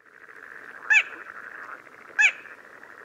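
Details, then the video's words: Little crake in Córdoba giving two sharp, nasal yelping calls about a second and a half apart over a steady background hum. "Polluela bastarda"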